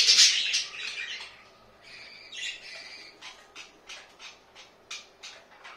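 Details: Pet budgies kept at home give a loud harsh squawk at the start, then a sparse run of short high chirps and clicks repeated every few tenths of a second, fading in a quiet indoor room.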